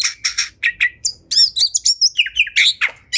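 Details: Fighting, agitated oriental magpie-robin: a rhythmic series of harsh buzzy notes and short clear whistles, repeated about four to five times a second.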